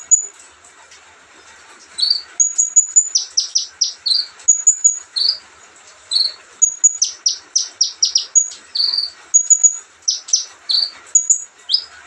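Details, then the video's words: Sunbird singing in a relaxed way: high thin piercing notes alternating with rapid series of sharp descending chips, repeated in bursts. "kicauan santai Kolibri ninja."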